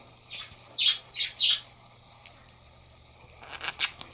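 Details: Australian parrots chirping: a burst of four sharp, high, scratchy chirps in quick succession, a pause with faint background hum, then another cluster of high chirps near the end.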